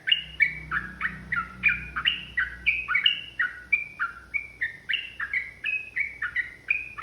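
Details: Yellow-vented bulbul (trucukan) in agitated, fighting mood, singing a long rapid 'ropel' chatter used as a provoking lure: bright two-part notes sliding down, about three per second, steady throughout, with a faint low hum underneath.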